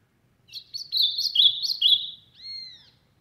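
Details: Strong song of an ultramarine grosbeak from the sertão: a quick, slurred warbling phrase of linked notes, followed by a separate clear, drawn-out whistle arching up then down.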